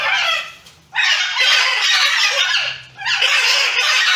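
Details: Wild macaws fighting give two long, harsh, raspy screeches, each about two seconds, with a brief pause between.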